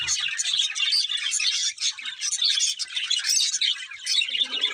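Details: Budgies chirping together, steady high warbling chatter with sharp tweets and short squawky notes, a brief lower scratchy sound near the end.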